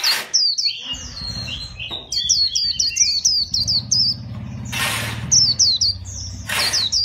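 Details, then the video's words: Fighting white-eye kept for song contests, chòe style: strings of sharp, high, downward-slurred twitters repeated in fast series, with bursts of noise and a low background hum. "KHUYÊN ĐẤU VIP CHÒE"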